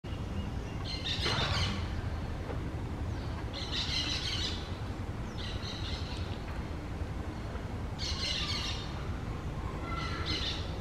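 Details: Green parakeets at the nest they have found: four harsh, raspy screeching bursts spaced a few seconds apart, each broad and noisy, over a constant low rumble of outdoor background noise.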